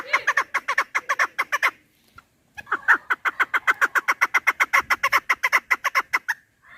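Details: Chukar partridge delivering two bouts of rapid, harsh chuk notes separated by a short pause, the second bout longer and building in intensity. From a recording meant for partridge hunting.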